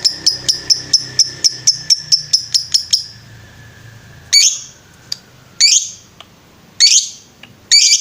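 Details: Lovebird on a master recording meant for training birds: a run of quick sharp high chirps, then a pause and several separate short buzzy bursts spaced about a second apart.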